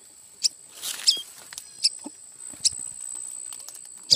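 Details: Red-headed tailorbird nestlings, found in bamboo cut for a hut roof and later released, give thin, high, sharp chips about every half-second to second, over a steady high-pitched whine and faint rustling.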